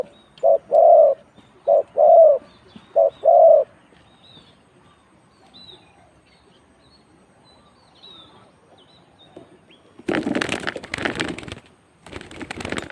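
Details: Spotted dove in a cooing competition, round 41: three short-then-long coo pairs, then quiet, followed by loud broadband noise bursts.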